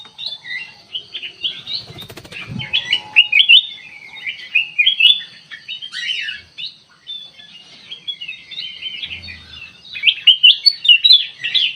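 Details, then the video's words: Sooty-headed bulbul song used as a lure to draw a quick response from other birds: dense, fast chattering phrases of bright, warbled notes in a steady stream, with a brief soft thump early on. "burung kutilang emas buat pemikat langsung respon"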